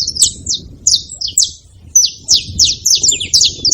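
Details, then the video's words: Several saffron finches chirping together in bursts of sharp, high, down-slurred notes. A short lull near the middle is followed by a denser overlapping run. Faint low background noise. "Canário da terra junto fazendo barulho"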